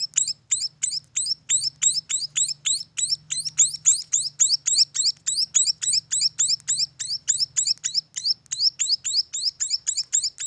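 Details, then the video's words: Young munias at a bird farm give an unbroken run of piercing, high-pitched chirps, roughly four each second for ten seconds, each one a quick downward-slurred note, with a soft low hum underneath. "suara anakan burung emprit"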